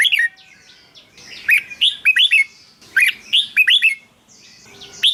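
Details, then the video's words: Red-whiskered bulbul singing, used as a decoy recording or to excite other bulbuls. Lively clusters of rich, slurred whistles repeat roughly every second, with quiet background twitters. "เสียงนกกรงหัวจุก สำหรับต่อ หรือ เปิดให้นกคึก เสียงเพราะๆ"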